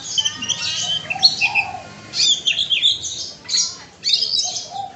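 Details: Kacer, the Oriental magpie-robin, delivering a song stuffed with mimicked phrases amid other bird voices. Scratchy, high chattering bursts alternate with short pauses, with a low whistled slur near the start.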